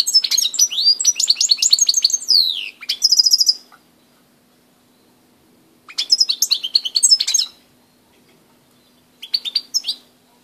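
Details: Goldfinch song recorded at Grahovljak, 2 March 2016: a long liquid twittering phrase with a downward slur, then a buzzy trill, followed after a pause by two shorter jingling bursts; a faint low hum runs throughout.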